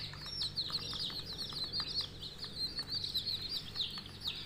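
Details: Coloured budgerigar chicks give a nonstop chatter of high, thin chirps blurring into one another, with soft rustling and a low background hum.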